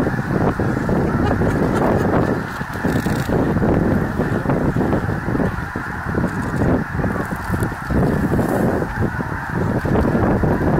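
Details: A huge flock of snow geese flying around and coming in to land at Bosque del Apache National Wildlife Refuge on 7 December 2017, producing a continuous roar of overlapping honks and wingbeats.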